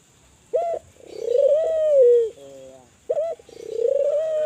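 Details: Spotted dove, Kelantan type, calling to stimulate other doves to call: a short sharp note near 600, then a long purring coo rising and falling, ending in a lower flat tail, repeated, with a faint steady high hiss throughout.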